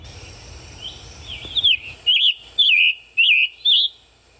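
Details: Scarlet Tanager song, a bird often heard high in green forest: short, hoarse, burry robin-like warbling phrases, about five in four seconds, each slurring up and down with brief pauses between.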